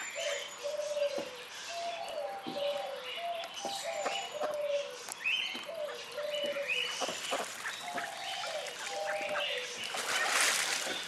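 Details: White-cheeked pintails (Anas bahamensis) at a children's farm in Sint Pancras, Holland, give short, flat, mid-pitched whistled notes at an uneven pace over a busy background of higher chirps and twitters from other birds.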